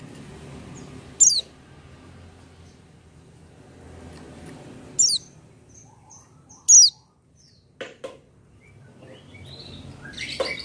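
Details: Oriental white-eye singing without supplements, giving sharp, high descending chirps spaced a few seconds apart, with faint lower tapping sounds and a rustle near the end.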